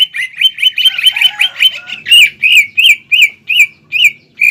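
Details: Green leafbird in a fighting song stuffed with imitated calls of other birds, meant to provoke an opponent. It opens with a fast, even trill of repeated notes, then gives slower, loud, ringing chirps about twice a second.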